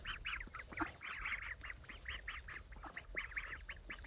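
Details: Saxony and Muscovy ducks with ducklings call in a quick run of short, nasal, overlapping notes, several each second from more than one bird, over a faint steady hum.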